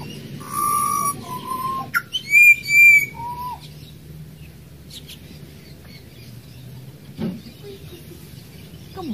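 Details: Wild Australian pied butcherbird singing a short burst of pure whistles and bright high notes in the first few seconds, then quiet with only faint low hum and a soft distant note.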